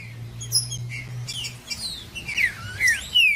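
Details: Green-winged saltator (trinca-ferro) song used to warm up a cold bird: soft scattered chirps, then louder, rich descending whistles near the end, with a low hum early on.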